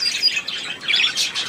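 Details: Budgerigars kept in a group, December 2016, giving quick bright chirps and scratchy squeaks that overlap densely, with a man coaxing one bird closer.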